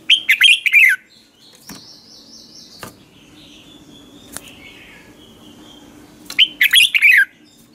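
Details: Red-whiskered bulbul singing in the morning as a lure to train and excite other birds: a quick warbled phrase of liquid, falling notes, then a long gap with clicks and faint thin calls, then the same phrase again.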